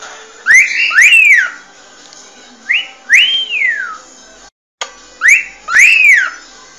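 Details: Cockatiel whistling to train a bird to sing: paired phrases, each a short rising note followed by a long, bright arched whistle that rises and falls, repeated three times with pauses.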